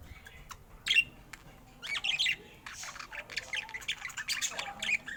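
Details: ['Budgerigar described as happy, giving a few sharp squawks and short chirps spaced out over a soft background.']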